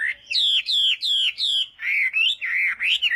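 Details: Morning voice-training song of a Chinese hwamei for singing contests: a steady series of loud, rich whistled phrases, each a swooping down-slur, repeated about every third of a second.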